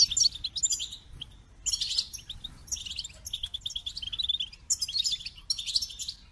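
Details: A goldfinch delivers its song in bursts of about one second of quick, tinkling, twittering phrases, with short pauses between them, repeated five or six times.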